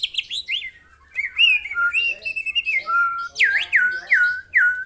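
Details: Murai batu, the white-rumped shama, in a tutor recording of 'tembakan' song taken from a real bird: clear slurred whistles and steady held notes, then a series of loud down-swooping whistles repeated roughly every half second.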